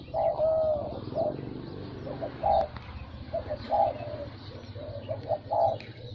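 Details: Zebra dove song: soft high cooing notes in short bursts, some trilled, spaced about a second apart over a steady low rumbling background noise.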